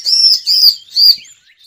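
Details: Bar-winged prinia lure call: three high, thin, slurred chirps in quick succession, about half a second apart, with no other sounds.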